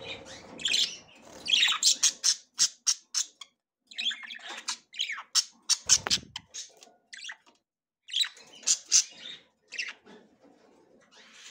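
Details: A female budgie ready to breed inspects the nest for the first time, uttering a string of short, hard squawks and clicks in irregular bursts separated by brief silences.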